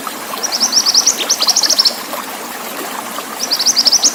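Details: Pied bushchat training-track song with running water: a fast, high twittering phrase of clipped notes for about 1.5 seconds, a quiet gap of hissing water, then another rapid burst beginning.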